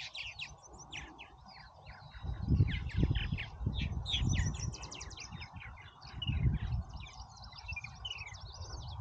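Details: Purple Martin colony at Oak Harbor, Ohio, busy with a steady stream of gurgling, chirping and creaky notes from many birds, over heavy wind rumble.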